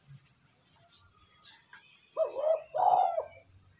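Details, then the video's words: Spotted dove coo, played to stimulate decoy birds, heard as two low, hollow cooing notes near the end after faint high chirps from other small birds. "Tiếng cu gáy kích bổi nhanh nổi"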